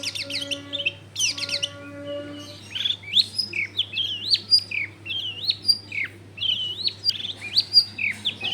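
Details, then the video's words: Prolific long-tailed shrike song, recorded in a densely populated neighbourhood and used to coax other shrikes into singing. A varied stream of swooping, slurred whistles and quick twittered notes, with a steady low hum and faint tonal background sounds early on. "SUAR BURUNG CENDET GACOR COCOK BUAT PANCINGAN CENDET BAHAN BIAR IKUT BUNYI"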